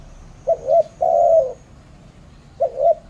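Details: Spotted dove, Malaysia, cooing: a short doubled note followed by a long, steady, mellow coo, with the next phrase beginning as it ends; quiet low background rumble.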